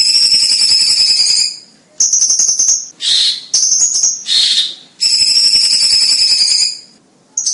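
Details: Cucak cungkok song used as a vocal tutor for competition birds, loud and dense: long harsh, buzzy high-pitched bursts of one to two seconds broken by short gaps and a few rising shrill notes.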